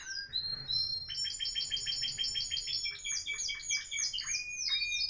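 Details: Three Timbrado canaries of the Florealdo song style sing rapid, bright repeated trills, shifting through several phrases of high, metallic notes, with little else heard; recorded 2021.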